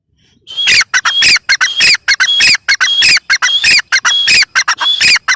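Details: Grey francolin, known locally as teetar, calling loudly: harsh, grating notes mixed with short whistled upslurs, repeated in quick rhythmic bursts roughly every half second, very loud and close, with no other clear sounds.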